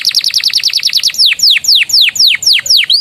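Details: Singing canary whose master song carries Javan tesia and bar-winged prinia phrases: a rapid run of high chipping notes gives way to slower, loud, drawn-out descending whistles repeated about twice a second.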